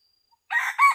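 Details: Red junglefowl crowing during decoy hunting: a loud, harsh, harmonic crow in two bursts, a longer rasping first part and then a brief, stronger end note, after silence with a faint steady insect whine.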